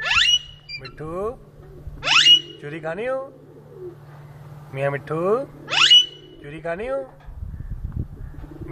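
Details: Talking rose-ringed parakeet in Lahore, Pakistan, alternating shrill, rising screeches with bursts of nasal, speech-like syllables about every two to three seconds, over a steady low hum.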